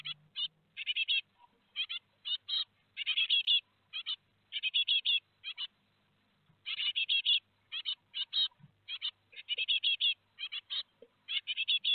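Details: Great tits at Théding, France, 17 July 2020, while four fledglings leave the nest: long sequence of high, rasping chirp bursts, dense clusters alternating with short silences.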